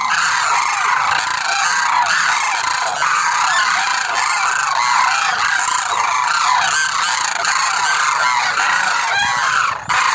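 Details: Calling demoiselle cranes, known as koonj, form a thick, unbroken chorus of rattling, honking calls that overlap one another from start to end.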